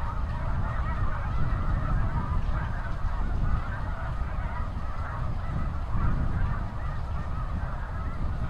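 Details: A huge spring flock of snow geese leaving fields by the seaway together at high tide, captured from a backyard on a Nikon D7000 with an Azden mike: continuous overlapping honks above a strong, steady low roar.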